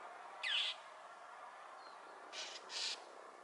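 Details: Northern mockingbird protesting a Cooper's hawk sitting atop a power pole on Potrero Road, Newbury Park, diving at it repeatedly; a loud grating note with a falling slur, a gap, then a pair of rough, buzzy bursts against steady noise.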